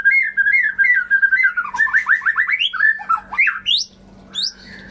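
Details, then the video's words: White-rumped shama singing to prompt silent birds into song: a rapid flowing stream of whistled notes, rising and falling, then sharp ascending slurs and a final high whistle before fading, steady hum behind. "Pancingan Murai Macet Bunyi, Bisu, Kurang Gacor atau Ngedrop"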